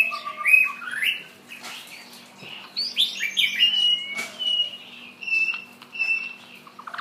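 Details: Shama song with scattered whistled phrases, rising slurs and a few sharp clicks, then steady pure notes repeated about once a second, above a faint persistent hum.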